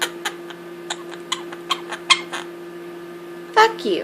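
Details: A two-year-old male monk (Quaker) parakeet, which learned profanity from a rescued Quaker, talks in short, clipped, word-like bursts like "what what," ending in a raspy squawk, over a steady hum.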